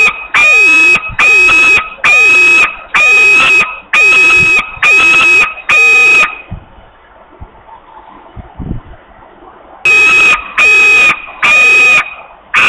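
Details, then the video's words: Hungry young osprey at a nest in Poland, screaming for food on 8 August 2021 at 13:48: loud, harsh, strained screams, each about half a second, repeated roughly once per second in a steady series, a pause, then resuming. "Wika is very hungry, long screams for food"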